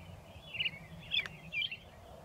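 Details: American robin perched on railroad ties next to a railroad in Shiloh, Illinois, singing near dusk on 6 April 2024; three brief whistled, slurred phrases spaced about half a second apart over a faint low rumble.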